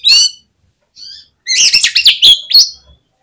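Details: Oriental magpie-robin song played to provoke rival birds into singing. A sharp chirp and a softer note come first, then a fast tumbling sequence of scratchy chips and bright whistles.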